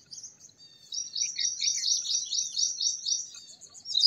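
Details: Song of the purple sunbird: a few thin, high notes build into a sustained, rapid, warbling twitter of sharp, high-pitched notes that weakens toward the end.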